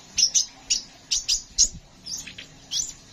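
Sharp, very high chirps from a Crimson Sunbird, often paired, repeated several times a second in a lively, scratchy string; the background is otherwise quiet.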